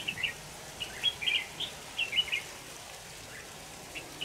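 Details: A red-whiskered bulbul heard while being trapped with a decoy in Vietnam, 25 November 2018, gives several short, lively phrases of clear chirping notes in quick succession, then pauses before two faint closing notes.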